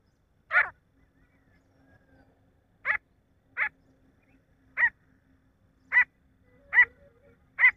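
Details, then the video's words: Harsh, rasping single notes from a male grey francolin, seven in all, repeated roughly every second after an opening pause, above faint low hum. "nar teetar ki awaaz titar ki awaaj partridge sound"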